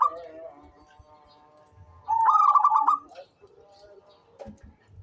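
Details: A frequently singing local zebra dove gives one loud, fast stuttering burst of pulsed coos. It is framed by faint sustained tones and a few soft clicks.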